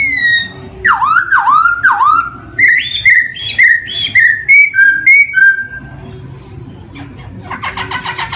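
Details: Black-throated laughingthrush song, a lure for young birds just learning to sing: rich looping whistles, a run of rising two-note phrases, softer falling whistles, then a scratchy chatter at the end.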